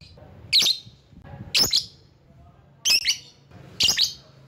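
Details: Lovebird call used to lure rival birds: four shrill, squeaky double-note shrieks spaced roughly a second apart, sharp and piercing, with a faint low hum underneath.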